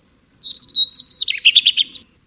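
A European robin sings a brief phrase: a high thin whistle, then a sliding warble that tumbles into quick liquid trills, all high-pitched and clear.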